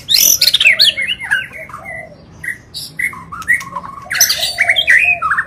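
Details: White-rumped shama in agitated, non-stop song meant to provoke other birds: loud harsh rasping bursts mixed with whistled and warbled notes, coming in energetic bouts with a brief lull in the middle.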